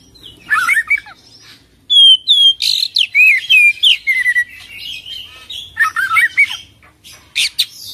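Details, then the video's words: Oriental magpie-robin singing gacor in full isian, ngerol style. Loud, rapid song strings crisp high whistles, downslurs and buzzy notes at nearly three per second, with chattering bursts and short pauses between phrases. "Kacer Full Isian ngerol gacor dorrr"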